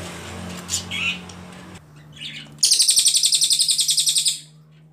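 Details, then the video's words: Ashy Tailorbird tutor song for training other songbirds: after faint chirps over a low hum, one strong burst of quick, high, repeated pulsed notes lasting almost two seconds, then fading. "CILILIN GACOR PALING JERNIH TEMBAKAN PANJANG"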